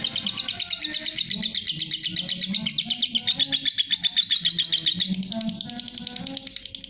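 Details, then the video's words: Long ngekek chatter of a lovebird, masteran recording: a loud, fast, pulsing high-pitched rattle of about four beats per second, steady for five seconds before fading out at the end. "love bird masteran ngekek panjang"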